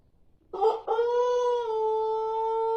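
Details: Pelung rooster of the Plered line from Purwakarta Regency crowing: a rough, broken start, then a long, steady, clear, drawn-out tone held for about two seconds without any change in pitch.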